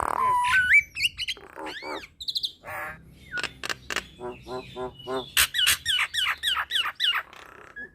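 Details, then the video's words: Nias hill myna in full song, mixing rising whistled phrases, rough rasping notes and a long series of loud, evenly spaced bubbling syllables repeated about every half second. "Kicauan Jalak Nias"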